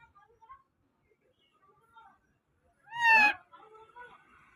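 An Indian ringneck parakeet gives one loud, harsh, rising-then-falling screech lasting about half a second, between soft warbling chatter before and after.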